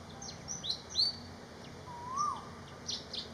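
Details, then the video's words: A Malaysian pied fantail gives bright high whistled notes, a quick run of rising and falling slurs. A lower, longer arching whistle follows, then more high notes at the end, over a background hiss. "BEAUTIFUL BIRD SONG ❤️- Malaysian Pied Fantail"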